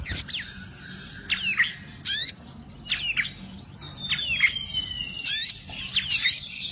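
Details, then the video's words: Olive-backed sunbird, agitated and attacking: sharp, very high thin notes, some sliding down in quick slurs, others as brief buzzy bursts and a long even whistle, in irregular clusters separated by short quiet gaps, no other clear sounds. "Sogok Ontong Ngamuk Sogok Ontong Nyerang"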